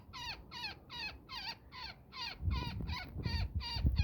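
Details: Netted woodpecker protesting as it is freed: eleven harsh, nasal, falling calls in four seconds, with rustling and low scraping from handling growing louder in the second half.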